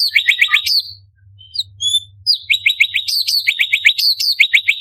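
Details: Sharp 'tembakan' song of an orange-bellied leafbird (cucak cungkok), recorded as tutor material for competition birds. Clustered fast falling chirps repeat in bursts, broken by a pause holding a few pure high whistles.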